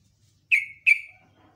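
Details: Morning sooty-headed bulbul in top singing form, in the ropel ngecruk nembak style: a pair of sharp, bright notes, each starting high and sliding down into a drawn-out whistled tail, against a quiet background.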